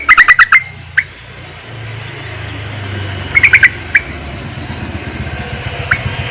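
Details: Yellow-vented bulbul calling males, used as a lure for trapping; two quick bursts of bubbly chattering notes, then single short notes, over a steady low engine rumble from passing traffic.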